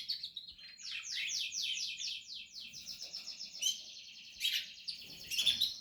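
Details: Nesting canary chicks, Portuguese harlequin, calling in a rapid series of high, squeaky repeated notes that run together into a trill, then sharper chirps toward the end.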